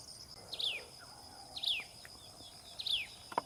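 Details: Common tailorbird feeding its baby birds: three sharp chirps, each sliding steeply downward, spaced a little over a second apart, with a steady high insect drone throughout.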